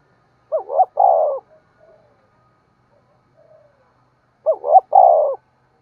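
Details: Morning lure call of a decoy spotted dove meant to draw in wild birds: a soft three-part coo, a pause of about three seconds with faint murmurs, then the same rolling coo phrase repeated.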